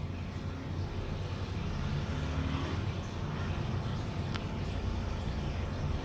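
Steady low rumble of traffic or engine noise dominates, with a single sharp click partway through and no animal voices.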